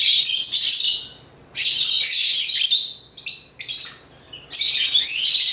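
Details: African lovebirds (Agapornis) chirping and singing: dense, shrill, high chatter in loud bursts, a full second of it, then a longer run, two short snatches and a final stretch, separated by near-silent gaps.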